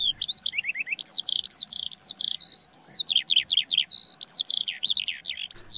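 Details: In Poland in early spring, a Eurasian Skylark sings over fields and meadows to defend its territory: an unbroken, fast stream of high chirps, trills and slurred whistles that changes constantly without pause.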